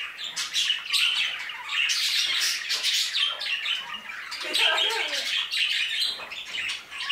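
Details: Budgerigars in an aviary, a dense flock chorus of scratchy chattering, squawks and high chirps overlapping without pause, rising and falling in loudness throughout.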